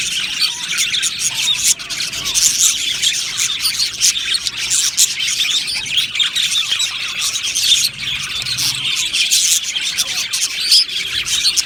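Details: Dense, unbroken twittering from a colony of happy budgies in an aviary. Countless small chirps, squeaks and warbled phrases mingle, swelling slightly now and then, with an occasional sharper squawk.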